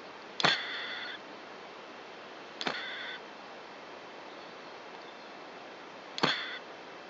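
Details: A nesting mother Japanese tit, breeding inside a tube-shaped device, gives three harsh, snake-like threat hisses at the observer peering in, each starting with a sharp burst and lasting about half a second, spaced several seconds apart against a quiet background.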